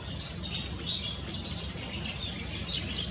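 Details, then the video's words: Continuous high, twittering warble from a Yellow-fronted canary recorded at Tanji Bird Reserve Eco-camp in Gambia on 12/4/2018, with bright whistled notes woven through a busy, tinkling stream of song. "Yellow-fronted Canary"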